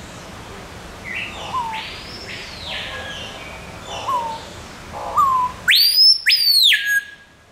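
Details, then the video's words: Captive screaming piha at Burger's Zoo in Arnhem, Netherlands, giving its loud call close by: quieter upslurred whistles build up, then two piercing whistled notes rising steeply and sliding down, very loud, with faint background murmur. "Screaming Piha doing its loud call"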